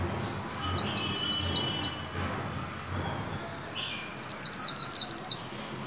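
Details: Caged white-eye in training, singing its 'líu' song to greet the 2021 new year: two bursts of about six rapid, very high, slurred descending notes, each burst just over a second long, separated by a pause of quiet hiss.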